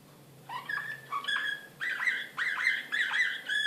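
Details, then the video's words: Excited Serbian slavujar canary from Belgrade, 2016, singing steady long whistled tones broken by quick dipping notes, repeated in several phrases. "كناري هائج"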